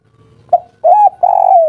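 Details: Spotted dove, local derkuku or tekukur, in the three-note 'kuk 3' local style, described as soft-voiced: a short opening coo, then two longer, smooth, mellow coos, the last slowly falling, in a quiet setting.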